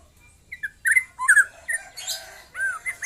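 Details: Young white-rumped shama past its speckled juvenile stage. Short separate whistles and buzzy, harsher notes come in uneven bursts, ending with a descending slurred whistle.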